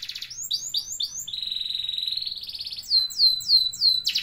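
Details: A canary sings fast and high: quick downslurred notes, then a long rolled trill, then more sweeping repeated notes, about three or four a second.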